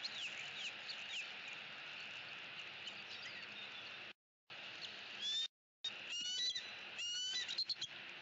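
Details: Eagle pair perched in the upper branches of their nest tree in Southwest Florida on an October 2017 afternoon, voicing disapproval at visiting crows; a burst of high, thin, chattering chirps near the end over a steady insect hiss.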